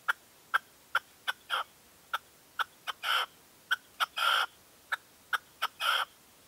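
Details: Red-legged partridge at a 2023 dawn decoy post: a steady string of short clipped notes, broken every so often by longer, broader grating calls, the pattern slower and less even.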